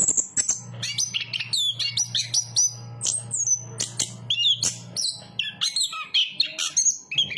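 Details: Anis kembang, or Chestnut-capped thrush, delivering varied high twittering and whistled phrases, short notes repeated rapidly, over a faint continuous low hum.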